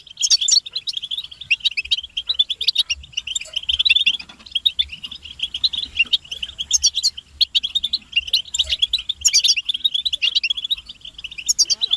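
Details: European goldfinches chirping together, calls meant to stimulate males to sing: a steady, busy stream of bright, high twittering notes with short sharp bursts. The chorus barely breaks across the whole stretch.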